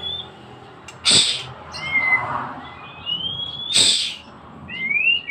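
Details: Young captive-bred, ringed white-rumped shama singing clear, slurred whistles that rise and fall, broken by two sharp, harsh bursts about three seconds apart.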